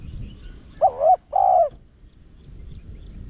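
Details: Urging coo of a spotted dove in the Rặc Đồng voice style, used to excite decoys and bring wild doves in: a single two-part coo, a brief wavering hoot then a longer even one, over soft low rumble.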